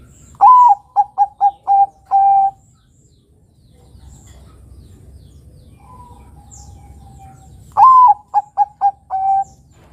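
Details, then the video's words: A Bangkok-type zebra dove (perkutut) gives its soft cooing song, used as a lure to get young birds singing: a rising note, then a quick string of four or five short coos ending in a longer one, heard twice. "Pancingan Suara Burung Kutut Perkutut Bangkok Gacor Ini Mudah Ditiru Kutut Bangkok Remaja Agar Bunyi"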